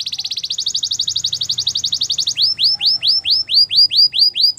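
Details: A canary sings a training song, opening with a very fast, bright trill that runs for over two seconds, then switching to slower, loud down-slurred whistles spaced evenly about three per second.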